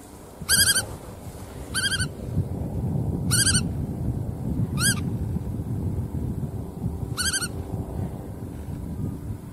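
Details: Black-tailed godwit repeating five clipped, nasal, sharply arched calls at irregular intervals of one to four seconds, over continuous low rumbling background noise.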